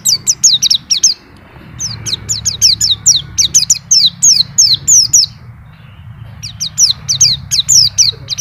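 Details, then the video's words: Nonstop white-eye song displaying its phrases: strings of sharp, high descending chirps in quick bursts, separated by brief silent gaps, with a low hum throughout. "PLECI NGACOR ‼️BONGKAR ISIAN"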